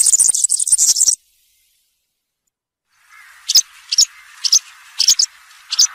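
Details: European serin, cante campero style: a second-long run of high, tinkling jingle notes, a pause, then sharp high chips repeated about every half second over a faint softer twittering.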